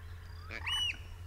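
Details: Adult Eurasian oystercatcher in summer plumage at a coastal reserve in Lancashire on 23 April 2011, where the species breeds; a single loud, shrill piping note, briefly sustained, over a steady low rumble.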